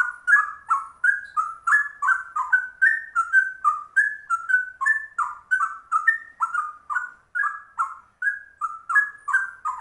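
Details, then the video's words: A rare trucuk bulbul in a ropel song resembling a straw-headed bulbul: a rapid run of short, bubbling whistled notes stepping up and down, about three per second, each with a faint high click, for ten seconds. "Trucuk langka ropelannya cucak rowo"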